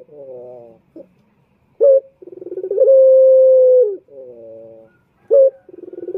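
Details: Male turtle dove lure call in repeated phrases: clipped accent notes, stuttering pulses running into a drawn-out low coo, then soft rolling murmurs between.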